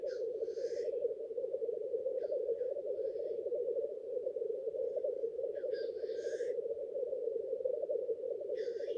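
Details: Black grouse males displaying at their lek for courtship, a continuous low rolling bubbling drone underneath and four separate hissing outbursts spaced a couple of seconds apart.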